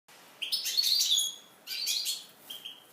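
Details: Eurasian siskin singing, presented as a living alarm clock: two bursts of high, buzzy, rapid twittering with thin wheezy notes, separated by a brief pause, ending in short chirps against a quiet background.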